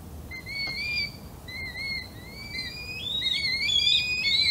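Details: Red kites in the morning, caught by an unattended microphone: drawn-out wavering whistles, repeated and overlapping, growing louder and more tangled toward the end over a soft hiss.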